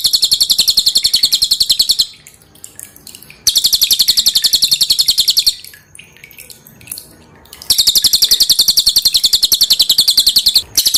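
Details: Pin-striped tit-babbler training song for cage birds: long loud bursts of very rapid, high chattering, broken by quieter gaps where water drips clearly.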